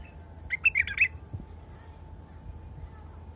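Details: A single brisk phrase from a wild bulbul: four or five fast, liquid notes run together in under a second, followed by quiet with a faint steady hum.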